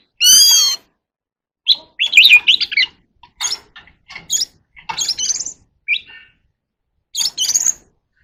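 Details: Oriental magpie-robin in contest singing: a high, varied phrase with a slurred whistle, then bursts of rapid, jumbled warbling notes broken by short pauses.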